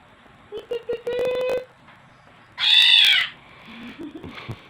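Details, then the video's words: Black-naped oriole (kilyawan) that came to a house, reportedly in Bicol, gives one loud, harsh, nasal downslurred call of about half a second, after a low, steady, humming voice-like sound. "BLACK NAPED ORIOLE SOUNDS"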